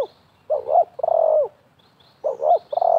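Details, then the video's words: Dueling spotted doves, one wild and one a decoy, during bird trapping: a husky coo phrase with a long wavering final note, then the next phrase beginning, over faint distant chirps. "TERKUKUR LIAR DAN PIKAT BERADU/BERLAGA HEBAT"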